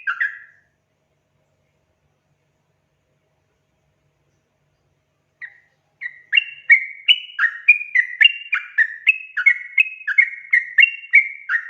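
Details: Sooty-headed bulbul gacor song used as a lure for untrained birds; one short note, about five seconds of silence, a lone whistle, then a rapid bubbling stream of rising and falling notes near three per second.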